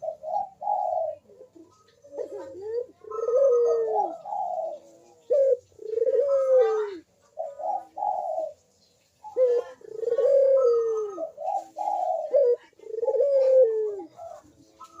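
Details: Barbary dove in steady manggung coo, recorded as a lure to stir quiet doves into calling: a long series of low, rolling coos, each a clipped opener and a drawn-out downward purr, repeating every two to three seconds.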